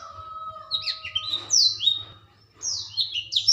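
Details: Young kept black-throated canary, a juvenile whose voice is growing loud, singing bright twittering phrases of quick high sweeps and trills in two bursts, with a steady faint tone and low hum underneath.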